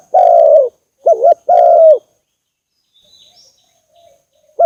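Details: Spotted dove calling, used as a lure to provoke doves for trapping: a low cooing phrase of three notes, a long cooing note, a short wavering double coo and another drawn-out coo, then near silence with a faint coo at the end.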